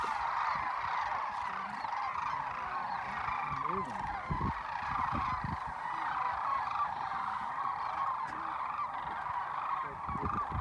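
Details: Sandhill cranes returning in large numbers to Whitewater Draw, southeastern Arizona, January 19, 2019, after a morning of foraging. Countless overlapping trilled, throaty bugling calls merge into a steady roar, with a few closer, lower croaks.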